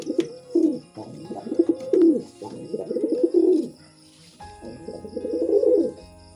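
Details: Mating pigeon giving a run of loud, throaty rolling coos in quick succession, four bursts within about six seconds with brief pauses between, against a low constant hum.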